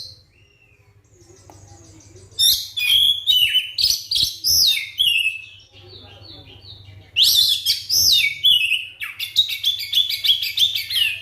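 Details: Lure song of a captive white-rumped shama intended to make silent shamas start singing: two loud bursts of fast, varied whistles and chatter, with a steady low electrical hum throughout and quiet stretches between.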